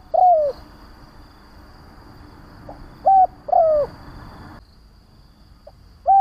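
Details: Cooing of a decoy spotted dove meant to provoke wild doves: a long sliding coo, then after a pause a short level coo followed by a drawn-out falling one. A final coo begins at the end, with background hiss.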